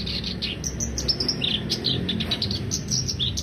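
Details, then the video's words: Short stretch of black-browed reed warbler song: hurried high squeaky notes and buzzy chatter, backed by constant low noise. "Kicau kerak basi alis hitam"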